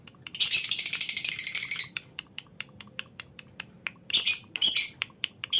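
Lovebirds chatter in a colony with rapid, shrill, buzzy trills and sharp chirps.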